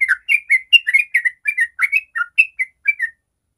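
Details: Sooty-headed bulbul performing 'ropel' song, a lure for other bulbuls. About fourteen short, liquid, slurred whistles come in quick succession, then it stops abruptly.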